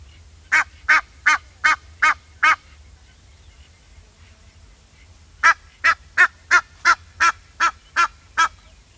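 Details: A fast run of six harsh, rhythmic honks from an Egyptian goose, a three-second pause, then a longer burst of about nine more at the same brisk pace.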